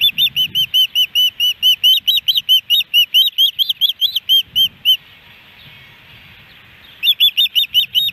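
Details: Ospreys at their Hellgate Canyon nest in Missoula, Montana, on July 13, 2018, a day with three fish brought in; a long fast series of shrill whistled chirps, about twenty in a row, a silent gap, then another burst.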